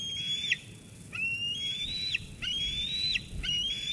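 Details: Sauces Canyon eaglet on 13 June 2021, squeeing at its mother after food arrives, until she leaves. Drawn-out rising whistles end in quick downward drops, four in a row at an uneven pace.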